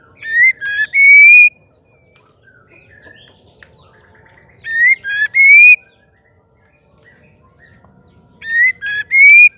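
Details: A female white-rumped shama repeats her song to trigger male singing. A three-note whistled phrase ending in a long, clear, rising whistle recurs about every four seconds, three times, with faint twitters between.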